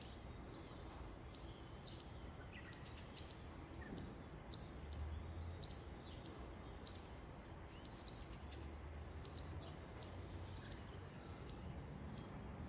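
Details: A Japanese wagtail in Shikokuchuo, Shikoku, Japan, on 23 May at 08:25 in the morning, not heard there for a long while, repeats sharp, high, slightly buzzy chirps about once a second over faint low rumble.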